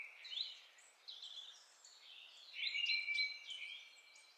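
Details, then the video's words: Mistle Thrush singing, captured with a homemade parabolic microphone: short, fluted, whistled phrases with rising and falling slurs, separated by brief pauses, fairly faint against a quiet background. "Chant de la Grive draine"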